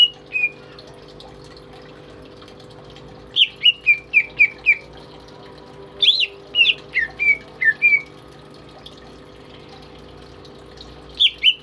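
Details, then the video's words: Greater green leafbird, a tame caged pet singing eagerly as a tutor for other birds, gives short bursts of rapid whistled notes. Several groups of five or six falling slurs are separated by quiet gaps, with a steady hum underneath. "BURUNG CUCAK IJO gacor"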